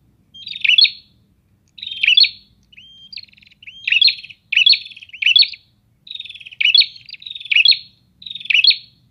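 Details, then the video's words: Several prinias answering one another in a busy exchange: dense bursts of high, buzzy chirps follow each other closely, with one short whistled slur in the middle and only a faint low hum behind. "Suara Ocehan Burung Prenjak"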